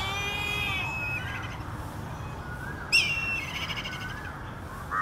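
A black eagle gives a drawn-out, slightly falling nasal cry. About two seconds later comes a sharper, higher yelping note, then softer sliding calls over a low outdoor hum.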